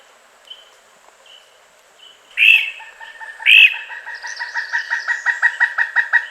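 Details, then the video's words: A Pileated Woodpecker gives two loud, harsh notes, then a long run of ringing calls at about six a second, fairly even in pitch; these calls are used to communicate with a mate or warn others off its territory. "Pileated Woodpecker Sounds: Call, Drumming, Mating Voice"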